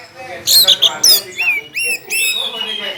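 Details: Caged orange-headed thrush, a loud-volume contest bird shown spreading its tail, sings a rapid phrase of bright, high whistled notes, sweeping and slurred, with chattering bursts in between and no other clear sounds.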